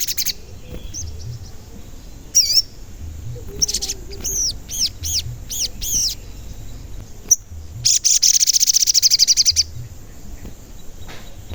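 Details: Lure call of an active singing sogon, meant to make other sogon birds call: scattered high wavy whistles and sharp chips, then a rapid, evenly pulsed high trill near the end over faint background hiss.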